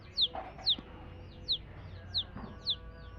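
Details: Chirping from domestic chicken chicks: five clear, high peeps, each sliding quickly downward, spaced about half a second apart over a soft, steady background hiss.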